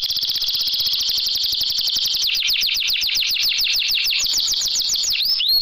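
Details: Canary song played as a filler recording to get lazy, silent canaries singing: a fast, steady trill of high notes that shifts at mid-clip into a run of repeated downward-sweeping whistles, about four per second.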